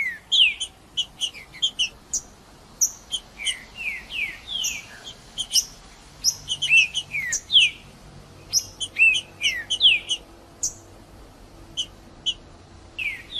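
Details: Green-winged saltator in the bush, its song used to warm up a cold bird. Short, sharp whistled notes and falling slurs repeat rapidly in irregular bursts throughout, with soft background hiss.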